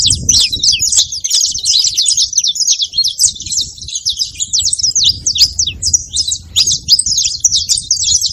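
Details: Canário-da-terra, or saffron finch, calling loudly in a long, busy series of quick, high chirped and trilled notes, repeated continuously over faint background rumble.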